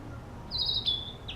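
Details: Narcissus flycatcher practising its song in an urban park: one clear, high whistled phrase that rises into a sustained note, then a short lower note and a brief final whistle, over faint low background hum.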